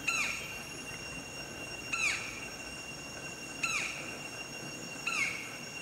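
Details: White-bellied woodpecker in Vietnam at dusk: four loud, ringing, down-slurred notes about one and a half seconds apart, over a steady high insect-like whine.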